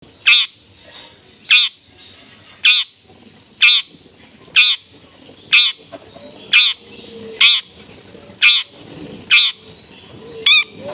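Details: Long-tailed shrike in full, clear-voiced song with a rich varied repertoire, used to prompt other shrikes to sing: harsh, buzzy high notes repeated roughly once a second, about ten in a row, over a quiet background.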